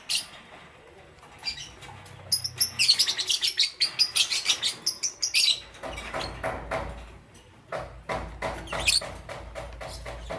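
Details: Morning chirping from Parblue Euwing Green Opaline and Green Opaline lovebirds: a fast run of rapid, high, scratchy chirps in the middle, then steadier ticking chirps with soft clicks.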